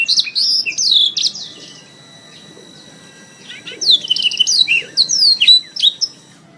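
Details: Canary song from a training recording for songbirds: bright high warbled phrases of rapid sweeping notes and trills, about a second long, separated by a quiet gap of nearly two seconds.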